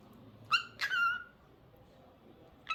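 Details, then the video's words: Singing cockatiel giving two clear whistled notes, the second sliding down and trailing off, followed by a short whistle cut off at the end, over a faint background hiss. "Adorable Cockatiel Cute Singing Sounds"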